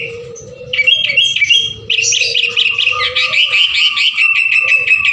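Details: Sooty-headed bulbul singing meant to encourage other birds: after a quieter start, a loud, dense mass of high chirping and trills sets in, with a steady hum underneath.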